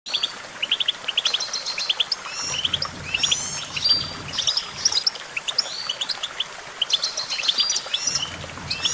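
A goldfinch sings a fast, tinkling stream of high twitters and bright trills, run together without pause. A faint low hum sits underneath.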